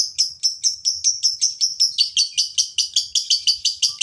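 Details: Ngekek-style chatter of a male fighter lovebird, played to make other lovebirds sing: sharp, scratchy chirps fired rapidly, about four to five per second, slightly speeding up halfway, with a faint thin whistle near the end.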